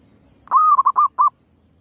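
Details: A single call phrase from a female zebra dove used to lure birds: one long, slightly arching coo run straight into a quick trill of four short, clipped notes against quiet low noise.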